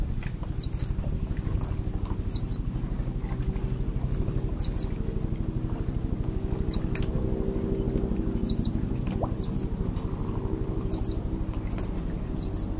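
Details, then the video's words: A purple martin nestling being fed, 25 July 2013 at 13:58, begs with thin, high double chirps in brief bursts every second or two, over a steady low mechanical rumble. "Purple Martin Nestling getting fed"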